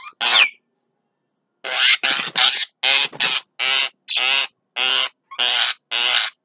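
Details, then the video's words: A Javan myna at midday repeats loud, harsh, buzzy rasping notes about twice a second after a short opening phrase and a pause. "JALAK KEBO SIANG HARI"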